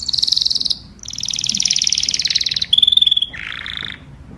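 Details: Canary singing to call others of its flock, a chain of fast trilled tours: a high pulsed trill, a longer rolling trill, a bright pure whistled run, then a lower buzzy chatter.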